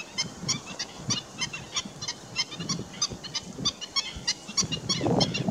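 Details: Black-winged stilts (Himantopus himantopus) giving a rapid, overlapping series of sharp, nasal yelping calls, about three per second, over low rumbling wind noise.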